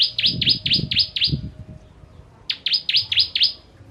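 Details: Bar-winged prinia, the ciblek kristal, giving its 'tembakan pedas' rapid-fire song for tutoring other birds: two short bursts of five or six bright, downslurred chirps separated by a one-second gap, over low rumbling background noise.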